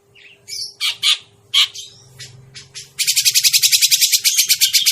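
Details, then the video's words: Grey-cheeked bulbul lure sound for catching birds: a few spaced, rough chirps and bursts, then a sustained rapid rattle of harsh notes at about four per second, with low humming in the background. "suara pikat burung cucak jenggot"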